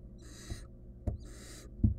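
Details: Barn owl nestling, wild, in a research nest box while attempting to eat a stolen rodent by itself: two rasping hiss bursts about a second apart, punctuated by soft low bumps.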